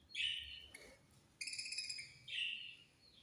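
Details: Budgerigars chirping while feeding: three bright, warbled high notes, each about half a second long with layered overtones, separated by short pauses, in a quiet room.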